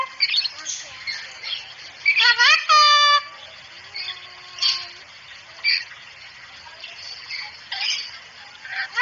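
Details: Cockatoo on a masteran training recording for fast talking and chattiness: scattered short scratchy squawks, one long strident harmonic screech a little after two seconds, a low steady note just after, then more brief chatter.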